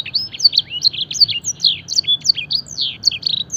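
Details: Canary master song imitating blackthroat and edel sanger phrases, used to train birds: a rapid string of clear, high whistled slurs and short downward sweeps, tightly packed and continuous.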